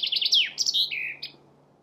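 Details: Chaffinch song ending: a few quick high notes, then a sweeping downward slur and a final sharp flourish, fading into quiet.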